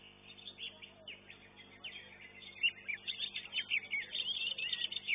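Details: Greater green leafbird singing in a bird-singing contest arena in Indonesia; a fast, busy run of high chirping and twittering notes, growing louder and denser through the second half, with faint crowd murmur behind.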